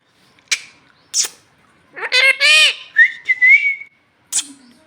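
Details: Talking pet parrot, said to speak Bhojpuri and ask for roti because it is hungry: two sharp clicks, then raspy harmonic voice-like syllables, a level whistled note near the end and a final click.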